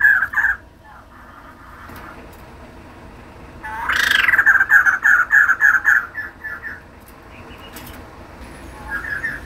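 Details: Female white-crested laughingthrush, a kept bird, giving a rising burst of chatter followed by a run of about a dozen rapid pulsed notes, with quieter scattered notes before and after over steady background noise.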